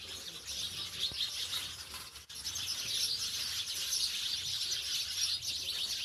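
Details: House sparrows in rural village surroundings, a dense, continuous chatter of high, overlapping chirps and tweets with no clear gaps, suggesting several birds calling at once; faint low rumble of background noise.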